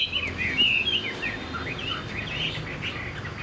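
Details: Caged Chinese hwamei, a young bird of this year, singing short bursts of bright slurred whistles and quick chirping notes, slightly fainter with a low background hum.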